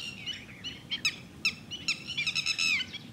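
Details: Red-wattled lapwing (Titodi) at Thol bird sanctuary: a quick run of sharp, high notes, scattered at first and then packed into a dense, rising stream of clipped calls near the end, with faint low background noise.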